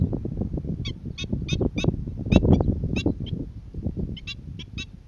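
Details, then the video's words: Calling black-winged stilt, Boa Vista, Cape Verde, February 2020: a string of clipped, nasal kek-like yelps, some paired, in bursts with short pauses, set against strong low wind noise. "Black Winged Stilt calling"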